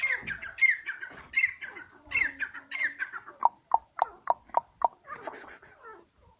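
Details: Grey francolin in its natural habitat in Pakistan: a run of loud, ringing, slurred notes that falls into a series of sharp, evenly spaced clipped calls, about four a second, then fades into softer chatter.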